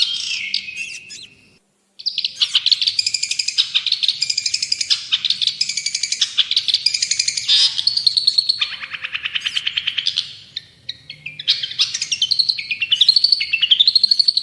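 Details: Long-tailed shrike in full, vigorous song, kept as a tutor and lure recording for caged birds: dense, varied chattering of sharp chips, buzzy trills and whistled phrases, with a brief silent break near two seconds before rapid repeated notes resume.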